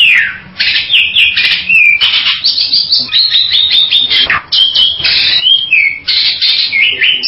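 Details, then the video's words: Bali myna in steady harsh chatter, with rasping bursts interspersed with short whistled notes that step up and down, delivered almost without pause. "SUARA BURUNG JALAK BALI"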